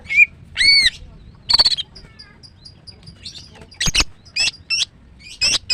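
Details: Female greater green leafbird singing in the morning: varied clear whistled notes, arching chirps and sharp high strokes spaced through the phrase, with short pauses between bursts.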